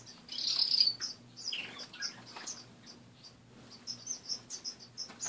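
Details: Caged finches chirp in the morning, opening with a loud, harsh burst, then a steady series of short, high peeps that quicken toward the end.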